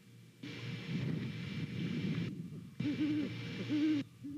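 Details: Great horned owl pair hooting to one another at a Savannah nest on a November morning; a few muffled low hoots come late, largely under heavy static noise.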